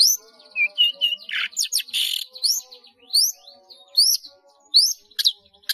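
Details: Caged long-tailed shrike in energetic song stuffed with mimicry. Short whistles and a harsh rasp open the clip, followed by high, quick upslurred chirps repeated at uneven intervals.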